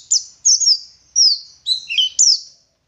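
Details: Oriental white-eye from Garut, West Java, a local dakun bird, delivering a few drawn-out, very high whistled phrases that slide downward, spaced about half a second apart, with one sharp click.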